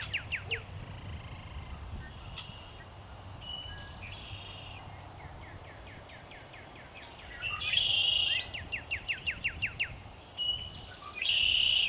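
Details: A male northern cardinal (Cardinalis cardinalis) sings before sunset in spring: rapid runs of clear, down-slurred whistles, about eight to ten notes per run, with fainter bird calls and a low background hum.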